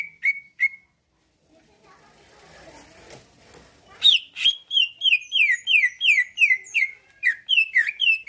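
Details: Greater green leafbird in a cage, singing to provoke replies and fighting: three short whistles, a noisy gap, then a long rapid series of sharp descending whistled notes.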